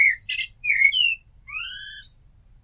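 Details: Common blackbird (Turdus merula) singing: clear fluted whistles around the middle range, a low warbled phrase, then rising sliding notes with a thin high twitter at the end of the phrase.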